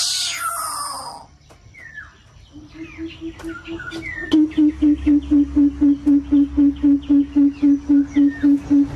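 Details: Coucal in an aviary calling to its flock: after scattered chirps from other birds, a soft low note builds into a rhythmic string of deep, booming hoots, about four each second, steady in pitch to the end.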